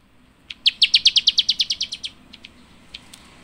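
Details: Java sparrow chirping: after half a second of quiet, a quick run of about fourteen sharp, high chirps fading in strength, then a few scattered single chirps.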